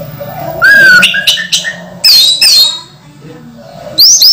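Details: Orange-headed thrush in moult, kept in a cage: a loud slurred whistle, then short sharp notes and squeaky rising phrases, separated by brief pauses.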